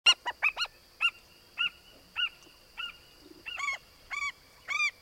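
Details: African skimmer at the time the year's first chick hatched, giving sharp, nasal yelping calls, about eleven in five seconds at an uneven pace, over a faint steady high-pitched whine.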